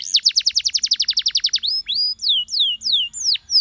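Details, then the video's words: Canary pouring out a rapid trill of about twelve notes a second, then slower long downslurred whistles spaced half a second apart. "Canaries seduce friends to sing!"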